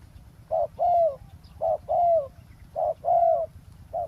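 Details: Spotted dove calling at a roadside during ground-level decoy trapping of a wild dove; low mellow coos in pairs, a short note followed by a longer drawn-out falling coo, repeated about once a second.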